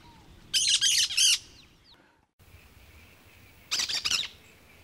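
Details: Cactus parakeet giving harsh, buzzy screeching bursts: a rapid trio of grating notes, then after a pause another short cluster of rasping screeches, over a steady high insect-like hum.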